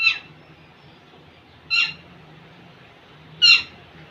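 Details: Courting young male Indian ringneck parakeet near a female, repeating brief harsh squawks roughly every one and a half seconds, three heard, over a low background hum.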